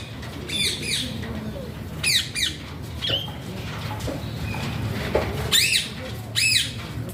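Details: Alexandrine parakeet (pahaadi tota), described as making funny talking sounds: sharp harmonic squawks with arched, up-and-down notes in short bursts near 0.6, 2.1, 5.6 and 6.5 seconds, over steady low background hum.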